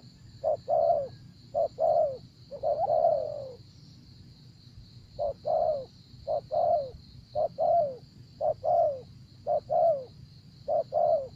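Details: ['Spotted dove heard while decoy trapping in Vietnam, giving a long run of short, mellow coo notes, mostly in pairs with one drawn-out note, backed by a constant thin high hum.']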